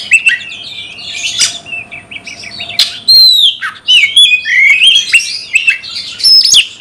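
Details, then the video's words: Oriental magpie-robin in captivity, song played to rouse fighting response: opening harsh scratchy bursts, then bright whistled notes sliding up and down in quick varied phrases. "Kacer gacor bongkar emosi dalam hitungan detik dijamin Kacer langsung tarung ngotot"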